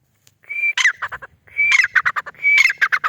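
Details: White partridge (white teetar) call given three times, each a high steady whistle sliding into a rapid string of harsh, clipped notes, the phrases coming about every second.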